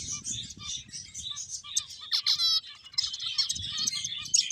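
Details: Finches at play: a steady run of thin, high chirps and trills, several birds overlapping, with one brief buzzy rattling burst midway.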